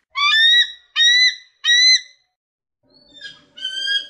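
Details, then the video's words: Eagle giving loud harsh screams, three strong drawn-out calls about a second apart, then a fainter call and a fifth scream after a pause. "Звук кричащего орла"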